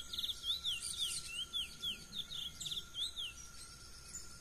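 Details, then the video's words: Wild-singing brown Chestnut-bellied seed finch in nature, mateiro-style song: around a dozen sharp, high, descending whistles delivered in a fast, slightly uneven run, with some chirps from other birds and a constant low hum behind. "Curió pardo na natureza - Belo canto silvestre (mateiro)"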